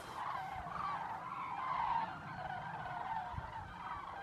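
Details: At dusk in Zamora, Spain, common cranes arrive at lagoons with constant trumpeting; a continuous wash of overlapping rolling calls from many birds, a few low thumps in the background.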